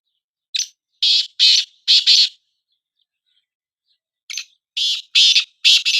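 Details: Kala teetar, the black francolin, calling in a comparison of two birds: two complete phrases about three seconds apart, each a clipped lead-in note then four harsh grating notes in pairs, with clean silence around them.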